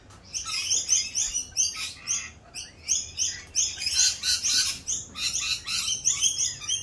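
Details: Rainbow lorikeets during mating season, raucous around their mating dance; continuous shrill chattering and screeching from several birds, pulsing in quick irregular bursts with hardly any quiet.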